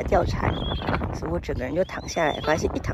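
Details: Gentoo penguins, mostly fluffy chicks, in the Pebble Island colony in the Falklands, 2024, give harsh, braying calls in repeated rising-and-falling pulses, mixed with people talking nearby.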